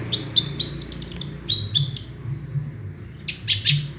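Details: Long-tailed shrike pouring out small-bird mimicry as rapid buzzy, twittering chirps in short clusters, a half-second gap, then more scratchy bursts near the end.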